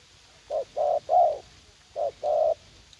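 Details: Decoy spotted dove cooing in a garden at U Minh, Vietnam, to draw in a young, fight-eager wild dove; two quick hollow notes, then a drawn-out mellow coo, repeated twice with a pause between.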